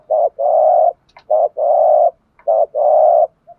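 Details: Lure-bird spotted dove uttering the 'thúc gù' urging coo meant to provoke rival doves: a short, low hoot followed by a longer, even, hollow coo. The pair is repeated three times in quick succession, with a faint click between phrases.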